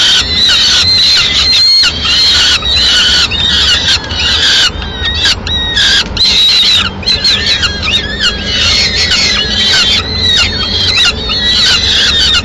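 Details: Peregrine falcon at a Madrid nest, mid-morning, as the female brings leftover pigeon; a dense, excited run of overlapping harsh, harmonic calls that blend into near-continuous calling.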